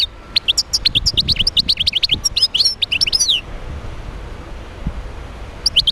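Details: European goldfinch song used to stimulate other goldfinches to sing: rapid tinkling twitter of short high notes and quick slurred whistles for over three seconds, then silence and a final brief burst near the end.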